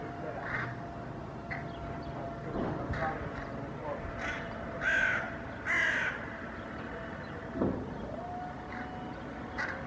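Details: Hooded crows in a Helsinki park, Finland, on 8 May 2024, reacting to a common raven and chasing it away. A few scattered hoarse caws stand out over a steady mechanical hum and faint background noise.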